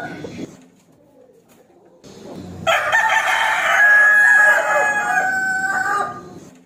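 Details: A rooster crows to provoke an opponent into fighting. After a brief fading sound and a lull comes one long, strained crow of about three seconds, loud and harsh, trailing off.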